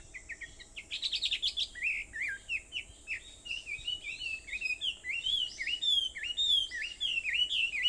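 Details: Dawn birdsong at 4:30 a.m. on Aobayama in Sendai, Japan, 21 July 2014: a burst of high chirps, then a long string of quick up-and-down whistled phrases that grows louder toward the end.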